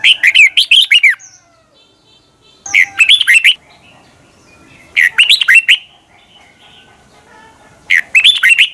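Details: Lure recording of a red-whiskered bulbul singing in the morning for training birds, 2020, with a long twisting double voice: four rapid, chattering warbled phrases of rising and falling whistles, spaced roughly two and a half seconds apart.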